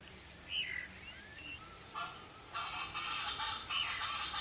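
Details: Wild Chaco chachalaca singing: a few faint, scattered calls give way after the midpoint to harsh, raspy, broadband bursts repeated in quick succession, with a steady high hiss of insects in the background.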